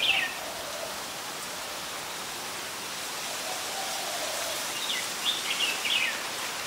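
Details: In Ubon Ratchathani, Thailand, on 16 December 2020, an adult Red-whiskered bulbul gives a brief bright note at the start. Later comes a rippling series of several slurred, chattering notes, heard over a steady noisy hiss.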